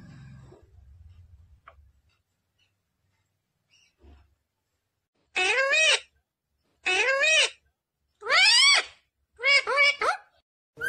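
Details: Pet talking parrot, said to say "mummy papa": after several quiet seconds with faint low rumble, four loud harmonic, speech-like utterances about a second apart, each with bending, stacked tones.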